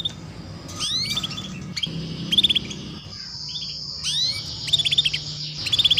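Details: Female canary chirping 'cuit cuit', used as training sound for juvenile canaries to sing early: rising swept whistles followed by rapid stuttering trills, several bursts across a few seconds, over a constant low hum.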